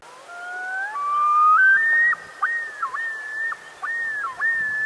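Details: A male common loon gives its territorial yodel, unique to each individual: a few long mournful notes climbing in pitch, then a run of repeated rising-and-falling wavering phrases, ringing out over a quiet background.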